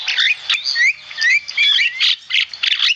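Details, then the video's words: Javan myna in full song: loud, harsh, squawking bursts alternating with short upward-sliding whistles, delivered rapidly and almost without pause. "Masteran burung jalak kebo gacor"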